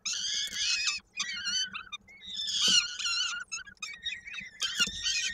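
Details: Peregrine falcon chicks at a nest in Koszalin, Poland, on 16 May 2022, during feeding by the adult female while a young bird's foot is stuck in a beak: harsh, strongly harmonic wailing screams in long bursts, briefly broken by quieter thin notes, over a steady low hum.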